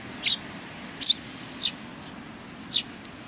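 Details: Sparrows greeting on 27 July 2020: four short, high chirps spaced irregularly over about three seconds against a quiet, faint background hum.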